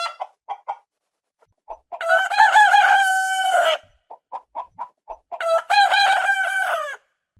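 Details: Rooster on a farm, its crow said to announce the start of the day: short clucks, then two long, loud, harmonic crows, each rising and holding before dropping at the end, separated by more quick clucks.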